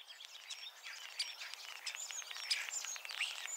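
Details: A common starling in Ireland sings a rapid jumble of sharp whistles, clicks and scratchy rattles, mimicking other species' songs to enlarge its repertoire and impress females or rival males, over faint outdoor background noise.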